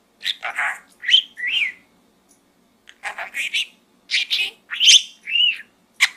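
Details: Pet budgerigar babbling from a small gourd indoors, with groups of quick scratchy chirps, bent whistles and rising squeaks in three bursts separated by a short pause.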